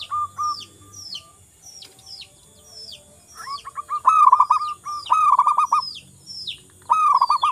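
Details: Energetic local wild zebra dove: short cooing notes that build into loud rolling trilled phrases on a steady low pitch, while other small birds give high slurred whistles throughout.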